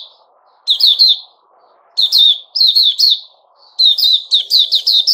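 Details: Sooty-headed bulbul (Puteh Raja), a kept bird recorded 10 July 2021, gives short groups of bright, downslurred chirps that build into a faster run at the end. Faint low background noise is present.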